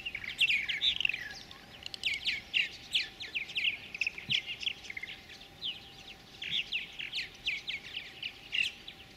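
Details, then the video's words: Purple martins, a pair feeding chicks in a gourd nest at a colony near Lacombe, Alberta, Canada, 2017; dense trains of rapid, raspy twittering chirps run almost continuously. "Purple martins feed their chicks in gourd nest"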